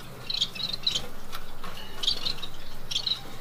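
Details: Caged family of chestnut pied Bengalese finches, a chestnut pied female and chocolate pied male with three young from their second clutch, giving short high chirps in small clusters about every second, over a low steady hum.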